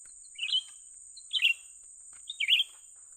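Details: Young Grey-bellied Bulbul calling as birds are lured for trapping: three bright chirp phrases, each a quick slurred note pair, spaced about a second apart over a constant high hiss.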